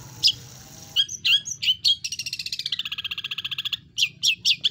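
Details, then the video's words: Long-tailed shrike in full 'isian' song, with mimicry ranging high and low, recorded for training. A few sharp whistled notes lead into a long rolling trill that slides slightly downward, then more clipped high notes follow. "Burung Cendet Pull Isiaan Gacor Atas Bawah"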